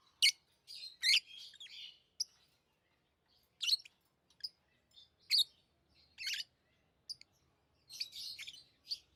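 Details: Tame pet lovebirds chirping: sharp, high, harsh chirps and short squeaky bursts in irregular clusters, some notes doubled, separated by brief silences, with no other sounds in a quiet background.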